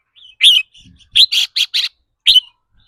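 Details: Short rapid trill from a caged red-whiskered bulbul, its ‘rik’ bursts said to change with the bird's mood. Loud rasping notes come in a quick run of four, bracketed by single sharp chirps.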